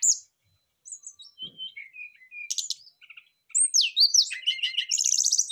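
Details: Brown-chested jungle flycatchers answering each other in song: separated high whistles and slurred notes give way to a dense, loud run of buzzy, chattering trills and sweeping phrases near the end.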